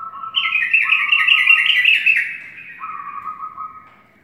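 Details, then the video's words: Sooty-headed bulbul singing in the morning: a bubbly, warbled phrase of quick rising and falling notes, with a steadier, lower, evenly pulsed tone running beneath at the start and again near the end. "Burung trucukan berkicau di pagi hari"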